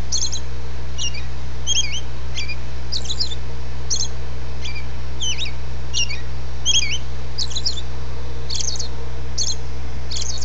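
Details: Robin singing at dawn: a run of short, high, sharply swept chirps and trills, about four notes per second in loose phrases, over a steady low electrical hum.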